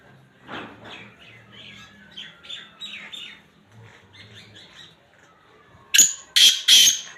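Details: Black francolin, kala teetar, recorded at Khushab: soft scattered chirps from small birds for six seconds, then three loud harsh broadband grating bursts in quick succession near the end.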